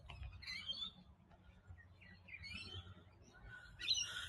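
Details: Many rainbow lorikeets squawking in a grove of Banksia trees on a coastal headland near Sydney: harsh, shrill overlapping screeches in bursts over a low rumble of wind or surf.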